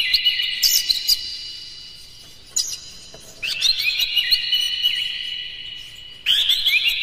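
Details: Oriental magpie-robin song for luring and exciting other magpie-robins: bursts of quick high whistles and chips separated by quieter gaps, later a long busy warbling stretch with looping slurred notes.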